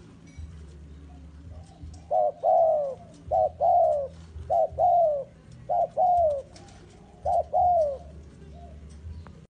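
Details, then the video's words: Spotted dove used as a bait bird for forest trapping, uttering four paired coos, each a brief note followed by a longer falling one, spaced about every one and a half seconds, with steady low hum behind. "A HOT SPOTTED DOVE AS A BAIT IS READY GO TO THE FOREST"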